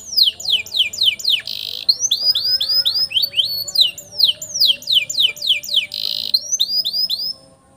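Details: Long-roll canary song used to train young canaries: bursts of steep descending whistles alternating with short buzzy rolls and rising swept notes, delivered rapidly, ending abruptly.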